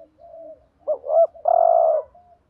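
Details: Decoy spotted dove cooing to excite rival males: a soft opening coo, two short swelling notes, then a long loud sustained low coo, ending with a faint quiet coo.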